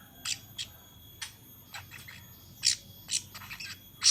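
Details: Young long-tailed shrike learning to sing in the ngeriwik style: scattered harsh, scratchy bursts of high-pitched notes, several spaced irregularly about every half second with brief pauses between, over a quiet background.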